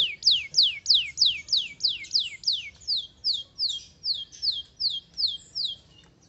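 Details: Canary singing a regular series of descending whistled notes, about three per second, growing softer toward the end over faint background noise.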